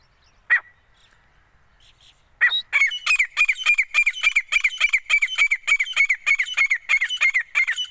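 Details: Hand-trained female grey francolin, known locally as teeter, calling. After one lone note and a short silence, a rapid run of sharp, ringing, evenly spaced notes begins and keeps a steady pace of about three per second.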